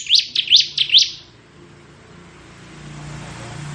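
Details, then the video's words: Ngebren song of a crystal ciblek bar-winged prinia: four rapid rising chirps in about one second, followed by quiet with faint low background rumble. "Suara Burung Ciblek Ngebren"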